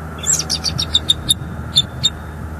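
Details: High piping chatter from a male bald eagle at a northeast Florida nest on 7 December 2022, recorded by a live cam as he waits for his mate. Rapid squeaky notes trail into a few spaced chirps.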